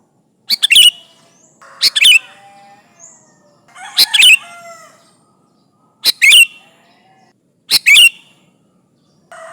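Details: Sooty-headed bulbul song used to lure rivals: five short, punchy phrases of rapid clicks ending in bright falling whistles, spaced roughly every one and a half to two seconds, with faint tonal notes between.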